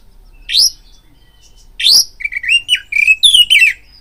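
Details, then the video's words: Oriental magpie-robin lure song to stir fighting arousal: two loud upswept harsh notes, then a quick run of warbled whistles rising and falling in the middle register, busy and varied. "BIRAHI TARUNG KACERMU NAIK DENGAR PANCINGAN KACER INI BUNYI"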